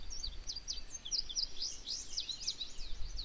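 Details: Singing male Indigo Bunting in a couple-years-old regenerating clear cut in Maine; a continuous string of bright, high, rapidly slurred notes, many given in pairs, over low background rumble.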